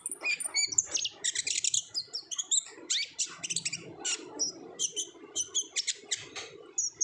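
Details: Olive-backed sunbird in vigorous 'ngobra' style song, recorded as a lure for untrained birds: continuous rapid high chips, whistles and trilled bursts, closely spaced throughout.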